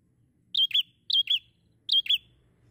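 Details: Bar-winged prinia in lively song: three shrill paired chirps in quick succession, each pair a sharp higher note then a lower one, with a quiet low hum throughout.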